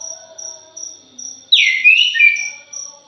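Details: Punglor jali thrush in a lure recording: one loud, rich phrase of slurred, gliding whistles lasting over a second, framed by steady insect pulses before and after.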